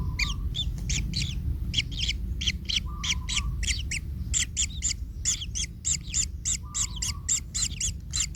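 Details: Young kingfisher crying in the nest after its parent tramples it: dense bursts of grating, down-curving notes in quick irregular runs, with a short pause midway and faint low steady tones.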